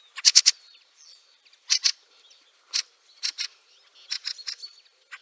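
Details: Fieldfare in snow at Liepāja, Latvia, March 2023: harsh, dry chacking calls in short bursts of two to four, separated by brief pauses across five seconds, with a faint thin whistle in the background.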